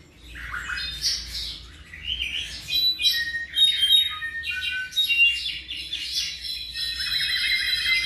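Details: About seven months old, a tropical mockingbird sings varied phrases: slurred whistles, squeaks and clear high notes, ending in a fast rattling trill.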